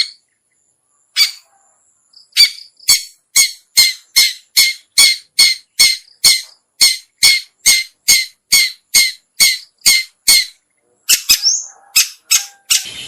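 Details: Long-tailed shrike lure recording, played to attract other shrikes: after a few scattered notes, a steady run of dry, harsh chack notes at a little over two per second, ending in a rougher flurry.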